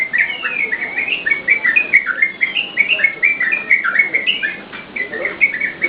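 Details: Yellow-vented bulbul in full song for training caged birds: bubbly whistled notes tumble in rapid clusters, rising then falling, in short bursts separated by brief gaps over a faint background hiss.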